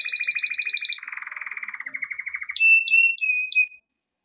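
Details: Singing male canary for training, opening with a fast double-pitched trill, shifting to lower buzzy rolls, then a steady whistle punctuated by sharp high clicks before stopping into silence.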